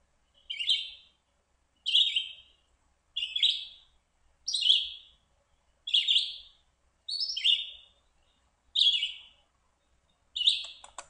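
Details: A red-eyed vireo hidden up in trees sings short, slurred, robin-like triplet phrases, like "here I am, where are you, over here in a tree", about a second apart with quiet pauses; red-eyed vireo.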